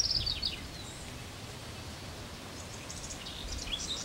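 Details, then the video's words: Lazuli bunting gives two brief bursts of high, quick, slurred notes, one at the start and another near the end, over a soft steady outdoor hiss. "Lazuli Bunting"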